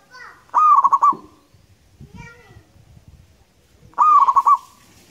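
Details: Local wild zebra dove, used as a lure recording, giving two loud rolling coo phrases, each a short rising note followed by a quick run of pulsed, bubbling beats, about three seconds apart over quiet background.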